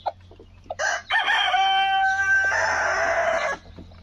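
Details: A rooster, described as a talking rooster, gives one long harmonic crow of nearly three seconds. It opens with a brief note, holds a steady, even middle, then ends in a rougher, broader drawn-out tail, with soft clucks just before it.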